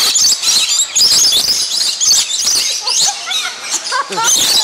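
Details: Lorikeets being fed nectar at an aviary in Niagara Falls fill the air with shrill, overlapping screeches and rapid chattering squeals, a constant high-pitched din; a human voice may be faintly mixed in.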